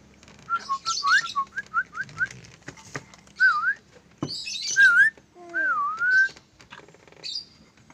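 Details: Trained lorikeet whistling a run of short quick rising notes, then longer looping whistled slurs that rise and fall, with a few scratchy squeaks between phrases.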